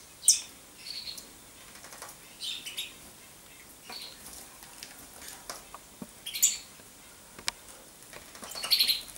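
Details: Common chaffinch giving scattered high chinking and tweeting notes, a loud sharp one at the start and another burst near the end, with soft clicks in the quiet gaps.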